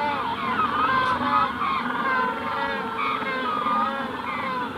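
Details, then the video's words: Close adult Magellanic penguins calling at hatching time in the Punta Tombo colony, more birds distant; layered braying notes with short upward and downward pitch slides, steady overlapping chorus throughout. "Magellanic Penguin / Calls CU From Adults At Hatching Stage, General Colony In Distance. Punta Tomb"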